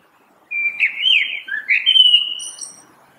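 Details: Common blackbird song: a flowing run of whistled, warbling phrases that rise and fall, with a few brief higher squeaky notes near the end, heard clearly against a silent background.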